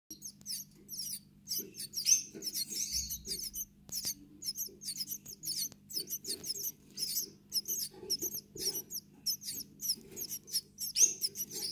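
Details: Gouldian finch chicks: a dense series of high, hissing, buzzy chirps in rapid bursts, repeated continuously with short gaps, over a faint low hum.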